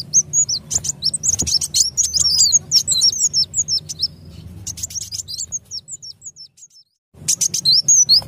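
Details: Sunbird call played to lure birds for trapping: dense, fast stream of high tinkling, zigzag chirps and clicks, about three notes a second, pausing briefly before another burst. A low background hum runs throughout.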